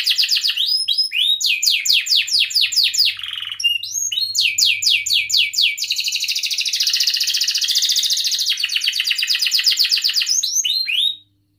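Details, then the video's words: Canary in vigorous, long song meant to stimulate young canaries learning to sing and silent birds: bursts of high, fast downslurred chirps, a sustained buzzy trill in the middle, more chirp series, then abrupt silence. "kenari gacor panjang Cuit Cuit EMOSI, Pancingan Kenari Paud Belajar Bunyi, terapi AMPUH Kenari MACET"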